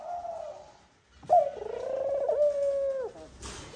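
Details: Courting Eurasian collared dove pair at the nest; the male gives a soft coo, then a loud, long, wavering moan that trails off, as he calls the female to the nest, with a brief noisy rustle at the end.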